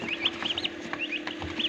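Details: Turkey chicks starting to hatch inside an incubator machine on a turkey farm in Assam: thin, high peeps, short and slightly rising, several in quick succession, over a steady low mechanical hum.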